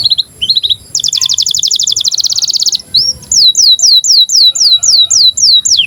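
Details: Breeding-condition canary singing to tutor young canaries: brief chirps, then a long rapid buzzy trill of nearly two seconds, followed by a regular series of loud downward-curving whistles.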